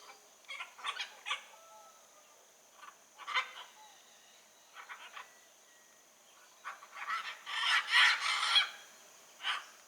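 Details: Wild blue-and-yellow macaw calling in nature: harsh, raspy squawks in short clustered bursts with irregular pauses, ending in a louder, denser run of grating calls.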